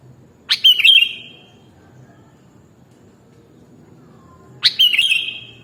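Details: Sooty-headed bulbul, known as kutilang, singing two brief rich warbled phrases with a falling tail, separated by about three seconds of quiet hum.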